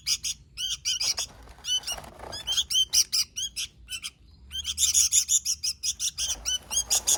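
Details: Gacor song from a sooty-headed bulbul: rapid, ringing chirp runs with a brief hiss around two seconds and a short gap near four seconds before another bright, dense burst.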